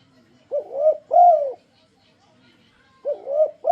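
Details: Lure song of a spotted dove (tekukur), used to coax other doves into singing. Soft, low coos come in paired bursts, a short note then a drawn-out rounded coo, with a second phrase starting after a silent gap.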